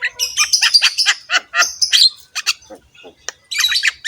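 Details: Javan myna (jalak kebo) singing a coarse, full gacor song: rapid harsh chatter with a sustained high whistle mid-phrase, then scattered clicks and a closing scratchy burst.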